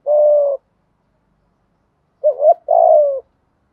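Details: Spotted dove giving a thúc gù style coo to attract wild doves: one long, low, level coo, a pause of well over a second, then a quick wavering double note leading into another drawn-out coo.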